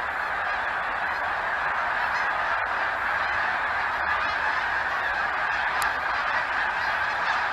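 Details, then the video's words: A huge flock of geese stopping by, as it does each year; a dense, continuous chorus of overlapping honks forms a steady wall of sound throughout, with no gaps between callers. "Huge flock of geese"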